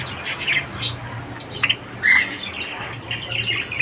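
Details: Budgerigars chattering in the morning: bursts of scratchy high notes, a clear whistled note near the middle, then fast buzzy warbling to the end.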